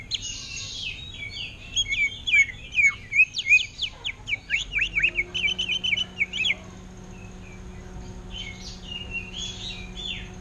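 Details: Greater green leafbird kept in a cage, delivering ngentrok-style song in the manner of an orange-headed thrush: a fast, high run of sharp chips, slurred whistles and downward strokes for about six seconds, then softer scattered notes.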